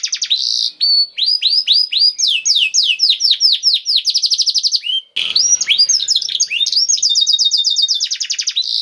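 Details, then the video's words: Canary singing hard in a prized 'cengkok istimewa' style, used to coax other canaries into song: series of quick rising upslurred notes that speed into dense rattling trills, a short break, then more high, fast, buzzy rolling phrases. "KENARI GACOR CENGKOK ISTIMEWA #235 || VOICE OF CANARY"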